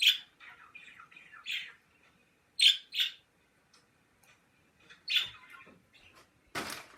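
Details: Caged pet birds give short, sharp squawks and chirps in irregular bursts separated by brief silences. A harsh noisy burst comes near the end.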